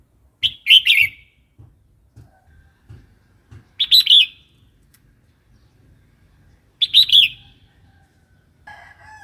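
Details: Red-whiskered bulbul in wild-style song for training young and wild-caught birds: three loud rich warbling phrases about three seconds apart, over soft regular low tapping knocks.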